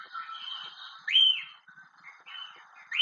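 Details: White-crested Elaenia in central Chile, a bird named for its characteristic song, giving clear, high 'fee-o' whistles that rise sharply then slur down, about one per second, over a steady background chatter of other small birds.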